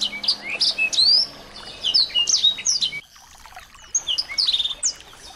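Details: Small birds, recorded as a training tape to provoke a white-rumped shama into singing: a busy mix of high, sharp chirps and short whistled rising and falling notes, several overlapping, with a brief lull around the middle before the chirping resumes.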